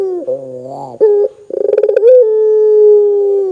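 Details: Barbary dove calling loudly to make other doves answer: a low, throaty buzzing phrase, a short coo, a rapid stuttering roll, then a rising note into a long steady coo.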